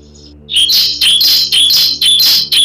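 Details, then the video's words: Lure recording of a bar-winged prinia meant to coax birds into singing. After a faint opening note comes a loud, rapid run of harsh, buzzy high notes, about three per second, with no other sounds. "Suara Burung Pancingan, Burung Ciblek Supaya Mau Bunyi"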